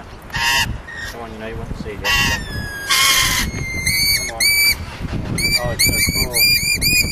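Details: Lorikeets in Neutral Bay, Sydney, give harsh, shrill screeches in short bursts, followed by a run of ringing, arched squeaky notes repeated about twice a second, with a possible faint voice.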